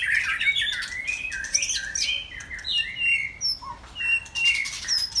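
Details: Saturday afternoon song of a white-rumped shama, with fluty whistles that rise and fall, quick slurred phrases, a few high thin notes and clicking sounds, delivered in steady varied bursts.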